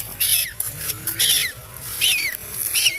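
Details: Scared baby duck crying and screaming: four loud, piercing, high peeps that slide downward, roughly one every 0.7 seconds, over faint low background rumble.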